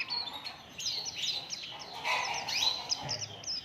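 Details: Oriental white-eye song used to draw other birds into singing: brisk twittering of clear high chirps, each note a quick curved whistle, repeated several times a second in a steady flow.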